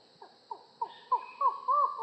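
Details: Collared forest falcon giving a series that starts with short, clipped notes and speeds up, each note growing longer until they merge into sustained, wavering hoots.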